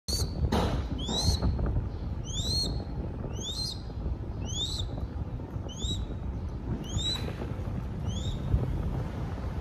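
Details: Baby crested goshawk in Cambodia begging while being fed: a string of about ten high, thin, upslurred whistles with ringing overtones, one roughly every second, over a steady low rumble.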